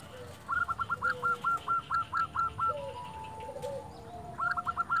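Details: Silver local zebra dove (perkutut) singing to prompt silent doves to answer: a fast even string of short rolling coos, a brief pause, then another burst, over steady background hiss with faint lower notes.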